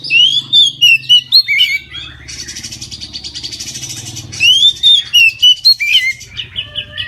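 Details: Oriental magpie-robin singing in full at midday, used to get other magpie-robins singing; loud sweet whistled phrases rising and falling, a harsh buzzy stretch in between, then whistles resume.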